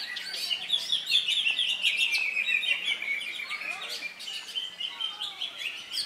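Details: Cucak hijau at an Indonesian songbird contest, Saturday 3 September, just past its molt and a double winner; a loud, unbroken rush of high twittering notes and quick slurred whistles, faint low hum throughout.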